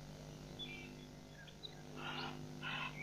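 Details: Two rough, noisy rasps from a helmeted guineafowl, each about a third of a second, in quick succession at Nkorho Pan, 15 June 2007. Scattered thin bird chirps and a constant low hum are also heard.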